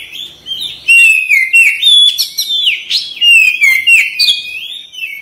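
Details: Energetic song of a kacer (Oriental magpie-robin) with fanned tail: a rapid stream of clear downslurred and upslurred whistles mixed with buzzy chips, barely pausing for five seconds.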